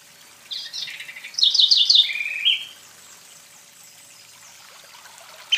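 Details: House wren song from Brazil: a fast bubbling burst of high chattering notes and trills lasting about two seconds, ending with lower buzzy phrases, then quiet background before another note begins.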